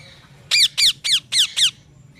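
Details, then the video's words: Parrot giving five loud, harsh, squawky chirps in quick succession, each a short downward-sweeping note with rich harmonics, spaced about a quarter second apart, against a quiet indoor background. "parrot chirping sound"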